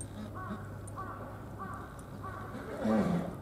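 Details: Bar-headed goose at Tama Zoological Park in Tokyo, Japan: four short, nasal, arching calls about two-thirds of a second apart, then a louder, lower burst, over a steady low hum and background chatter.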